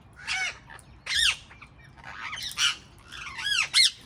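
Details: Loud, harsh squawks from wild parrots in a garden, four or five strident arched calls spaced about a second apart against a quiet background.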